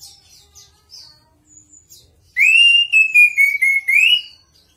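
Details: Chestnut-capped thrush delivers a long, loud, wavering whistle that rises, dips and rises again, with high overtones, after a stretch of faint, thin twittering.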